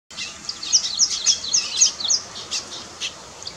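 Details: Weaver bird building a nest: a quick series of high, thin chirps, about six sharp notes in a row, followed by softer scattered chatter, all high-pitched over faint background noise.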